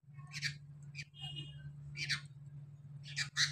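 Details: Sooty-headed bulbul chick begging: harsh, hissing, broadband bursts of calls, roughly three clusters spaced a second or more apart, with softer notes between and a steady low electrical hum throughout.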